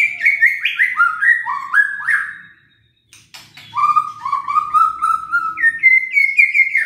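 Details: Song of the murai batu (white-rumped shama) played to rouse listless birds: a series of descending whistled steps, a short silence, then lower sustained whistles rising to a higher repeated phrase.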